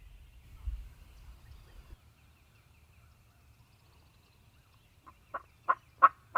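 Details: Wild Turkey during a spring hunt in Mississippi, morning; after a quiet stretch of low rumbling, a run of loud, evenly spaced throaty notes bursts in near the end, each one louder than the last.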